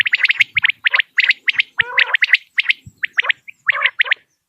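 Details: Common quail call played for quail hunting, a recording famous around Dera Ghazi Khan: bright, sharp notes in quick groups of two or three, repeated steadily, with a few lower throaty chattering notes mixed in.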